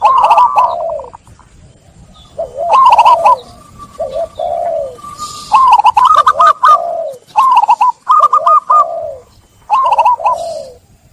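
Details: Zebra dove (Geopelia striata) song used to stimulate stressed or silent caged doves: soft, rapid rolling phrases, each a quick burst of trilled notes ending in lower coos, repeated several times.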